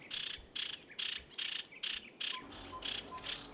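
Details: A greenbul at the edge of Oloolua Forest near Nairobi, Kenya, where greenbuls search the branches for caterpillars, gives a quick series of high, buzzy chips, about eight in three seconds, with faint soft lower whistles near the end.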